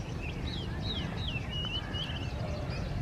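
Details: A male Oriental magpie-robin in display sings a quick run of varied, sweet whistled notes, some rising and some falling, over a steady low rumble.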